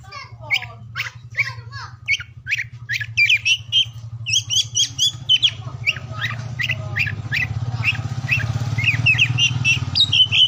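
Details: Oriental magpie-robin song for stimulating silent or lazy birds; sharp repeated whistled notes and chirps, growing busier, with rising low rumbling background noise in the second half.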